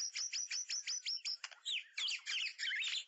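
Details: A long-tailed white-rumped shama opens its song with a fast run of about eight high, sharp notes a second, then breaks into varied, rich whistled phrases.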